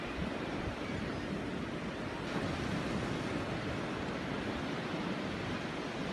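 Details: Steady crashing surf and wind rumble fill the recording throughout, with no animal calls heard.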